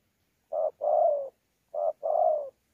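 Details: Spotted dove, a cooing bird in Sa Thầy, Vietnam, recorded 26 November 2019: two clean coo phrases, each a short hoarse note followed by a longer, gently falling coo, about a second apart, with no other sounds.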